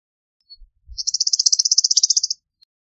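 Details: Eastern meadowlark giving a dry, rapid chatter of about twenty even buzzy pulses lasting over a second, preceded by faint low thumps.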